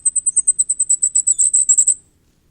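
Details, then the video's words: Common firecrest running about twenty rapid, piercingly high notes together over two seconds, growing louder and denser before stopping cleanly into quiet. "火冠戴菊的叫聲/Sound of Common Firecrest"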